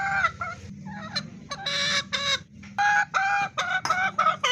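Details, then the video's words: Domestic fancy hen giving broken bursts of loud, harsh cackling notes, some drawn out and some short, separated by brief pauses, over a low background hum. "Fancy Murgi Singing||Hen sound effect||Chicken Sound"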